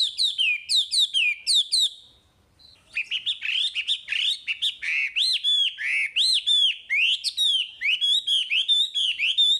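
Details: Chinese hwamei in full song, used as a training recording for caged birds: loud, varied whistled phrases, first a rapid series of repeated downslurred notes, a brief pause, then a long run of ringing, looping whistles and chirps.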